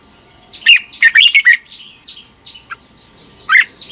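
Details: Morning song of a red-whiskered bulbul, used as a lure to train other bulbuls: a burst of loud whistled notes, followed by softer, descending chirps and one more loud note near the end.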